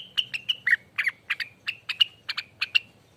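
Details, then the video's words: Rengganis singing a ropelan song, said to be used as a lure and tutor for other birds: a quick string of about fifteen clipped, ringing notes, some harsher and buzzier, with a faint low hum beneath. "ROPELAN ribut loss burung Rengganis"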